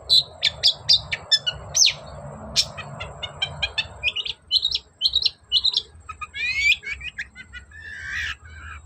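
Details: Long-tailed shrike in full, busy song meant to goad a silent bird into answering: rapid varied chirps, whistles and rising sweeps packed closely together, with a low background rumble.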